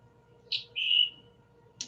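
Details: A Scarlet Tanager, a summer bird of Vermont forests, gives its two-part chip-burr call, which can also serve as an alarm: a sharp high chip then a hoarse, burry note, over a faint steady hum.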